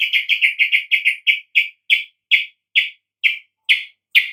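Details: Song of a sooty-headed bulbul meant to spur other bulbuls to sing: a fast burst of rich chirps that gradually slows into evenly spaced single notes, about a dozen in all.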